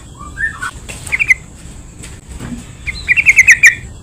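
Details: Yellow-vented bulbul lure song for drawing out other bulbuls: a few soft rising whistled notes, a brief warbled phrase, then a longer bright bubbling run of about six rapid notes.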